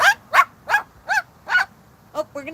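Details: Captive Moluccan cockatoo on a patio, barking at the dogs in imitation of them: five short, harsh, harmonic barks spaced about 0.4 seconds apart, followed by two softer, lower, wavering sounds at the end.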